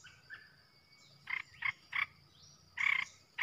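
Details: Red-whiskered bulbul singing as a fierce decoy to stir up other bulbuls, a few soft notes then three short warbled bursts and a longer louder one near the end, with faint low rumble underneath.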